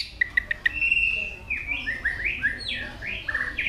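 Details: White-rumped shama singing with many varied notes while flicking its tail; a few quick ticks lead into a sustained clear whistle, then a series of rising and falling slurred whistles, softer and steady.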